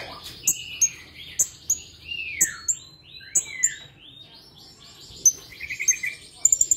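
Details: Blue-crowned hanging parrot in full voice, responding at once to a lure: bright, shrill, high ticks in quick pairs, woven with sliding, downward whistled phrases, ending in a rapid burst of high notes.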